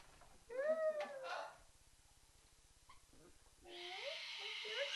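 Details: A male pet cockatoo protests his owner's pretend lecture about being a good boy indoors. He gives a squawky, voice-like outburst, then a harsh rasping screech, mixed with a woman's playful scolding.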